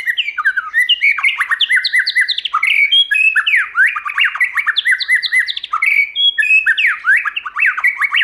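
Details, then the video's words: White-rumped shama in full, many-voiced song, used to stimulate and train shamas: continuous fast whistled phrases of rising and falling slurs, rapid and loud throughout. "Kích Chòe lửa hót nhiều giọng"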